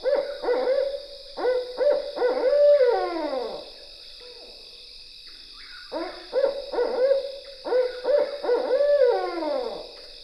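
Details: Barred Owl in Michigan giving its 'who cooks for you all' call: two bouts of rhythmic, deep hoots, each ending in a drawn-out, falling 'you-all'. A steady high hum runs underneath.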